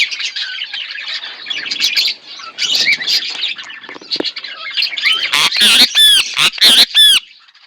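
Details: A pair of pet budgerigars chattering: dense, busy warbling and chirps high in pitch, ending with several loud, sharp rising-and-falling squawks in quick succession over the last two seconds.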